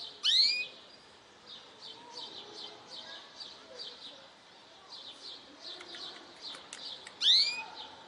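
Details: Goldfinch hybrid singing a segmented song: loud rising whistled notes at the start and end, with a run of quick, high chirping notes between them.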